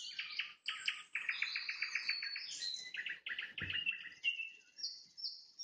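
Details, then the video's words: Evening trills from a nightingale at sunset: quick rattling strings of identical notes, about two or three per second in bursts, followed by pure high whistles at the end. "Пение соловья на закате, соловьиные трели"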